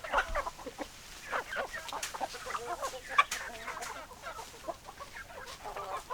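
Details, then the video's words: Hens clucking, irregular bursts of short clucks from several birds, louder at the start, with a sharp accent just after three seconds. "Chicken Sounds Noises Hens Clucking Roosters Crowing"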